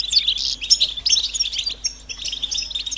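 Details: European goldfinch mating and readiness calls that prompt males to sing: bright, liquid, fast twittering with clipped tinkling notes and brief buzzy bursts, in short phrases with tiny pauses, over a quiet background.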